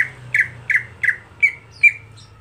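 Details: Everyday monotone voice of a greater green leafbird kept for competitions: six rasping squawks, the later ones thinner and slightly rising, spaced roughly every third of a second over a soft low hum.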